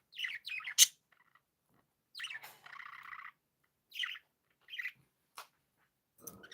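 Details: Happy pet budgies give scattered chirps, sharp squeaky notes and a short buzzy rattle, with brief silent pauses between calls and a faint low scratchy sound at the end.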